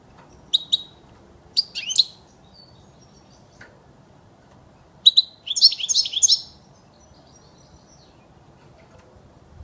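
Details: European goldfinch song used to teach young birds to sing; short bursts of bright, tinkling twitters and buzzy high trills, the longest a rapid jumble near the middle, separated by quiet pauses against a calm, near-silent background.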